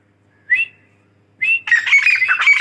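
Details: Female grey francolin (teetar), described as Dakhni teetar: two short rising whistled notes, then a burst of loud, harsh, rapidly repeated calls with a scratchy, squealing quality.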